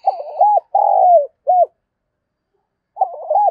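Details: Spotted dove, a decoy bird, giving its morning call in the thúc and chiêu styles: a soft, low, bubbling coo, a long falling coo and a short arched note, then silence and a bubbling coo again.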